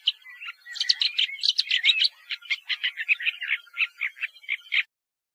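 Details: A woodchat shrike sings a rapid medley of scratchy chirps and short whistles, busier at first, then settling into evenly spaced chattering notes before stopping abruptly near the end.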